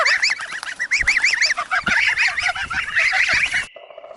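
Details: Gosling giving rapid, high, repeated peeping calls, each a short rising-then-falling chevron, many per second and near-continuous for over three seconds before stopping abruptly.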